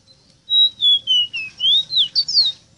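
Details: Ruddy-breasted seedeater tutor song for teaching captive birds: a single phrase of about eight clean whistled notes. Each note falls a little lower than the last before the phrase turns into quick, rising, twisting whistles.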